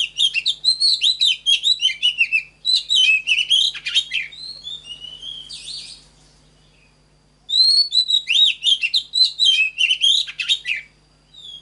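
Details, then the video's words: Two bursts of Oriental magpie-robin song, played as a model for training captive birds: varied warbled and whistled phrases, fluty slurs mixed with harsher chatter, separated by a long pause with a brief hissy noise in between. "LUYỆN CHÒE THAN HÓT GIỌNG CHUẨN"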